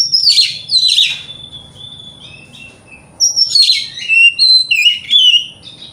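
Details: Oriental magpie-robin morning lure song aimed at rivals: two harsh descending bursts, a pause with soft whistles, then a string of clear slurred whistles and scratchy notes; faint steady high tone behind.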